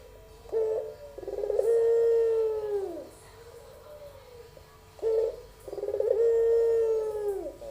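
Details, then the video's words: Repeated pelung coo of a young albino barbary dove, with two phrases about four and a half seconds apart. Each is a short throaty note followed by a long, steady, low coo that bends downward as it ends. "puter pelung suara merdu"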